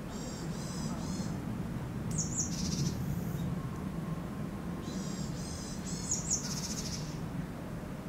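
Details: Eurasian sparrowhawk in the breeding season, when mating was observed, giving short, rapidly repeated, harsh call series that last about a second. There are two bouts over steady low background rumble.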